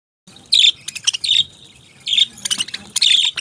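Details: Parrots chirping: bright, sharp chirps in short bursts, with a pause between the first group and a second busy cluster near the end; quiet background.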